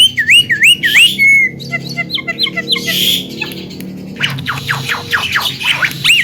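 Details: Javan myna, a caged talking songbird said to chatter well, sings a varied run: wavy whistled notes rising and falling, a level whistle, clipped rapid dotted notes, a harsh buzzy burst, then a series of sharp descending chips and another wavy whistle.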